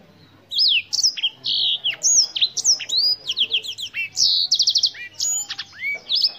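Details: Black-throated canary, an African bird, delivering a lively continuous song of bright, high whistles, sharp downslurred notes and fast rattling trills, with short pauses between phrases.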